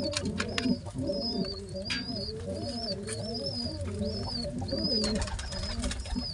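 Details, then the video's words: Pigeon squabs, two of them, begging as their father feeds them at once; a near-continuous train of high, thin arched squeaks over a low, wavering, gurgling warble. "how a father pigeon feeding 2 babys pigeons same time | pigeon sounds | baby pigeon sounds"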